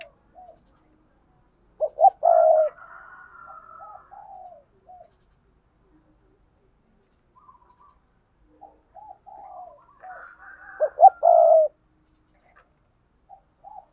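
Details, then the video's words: Spotted doves cooing as a pair: low, soft multi-note phrases building to a loud, emphatic coo and then trailing off. The phrase comes twice, about eight seconds apart, with faint higher chirps overlaid and quiet gaps between. "Tiếng cu gáy đôi"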